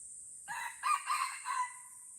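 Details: Red junglefowl from Aceh, in Lamteuba forest during a bloody fight between birds: a short crow opening with one note, then three loud harsh syllables near one pitch, the last trailing off, over a steady high insect drone.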